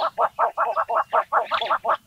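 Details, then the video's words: A female Eastern yellow-billed hornbill (Tockus flavirostris) in Shaba National Reserve, Kenya, calls with a fast, steady run of hollow, clucking mid-pitched notes, about six per second, with nothing else heard. "Eastern Yellow-billed Hornbill Calling"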